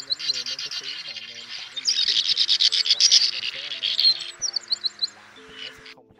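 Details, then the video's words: Male and female swiftlets call the flock in to roost in a lure recording. Rapid rasping twitters swell into a loud dense chorus midway, then thin to scattered chirps, over faint lower gliding tones. "Tiếng Én Mốc , Nhạn Nâu Xám Gọi Bầy Ru Ngủ Lùm , Trống Mái Kêu Chuẩn Nhất 2024"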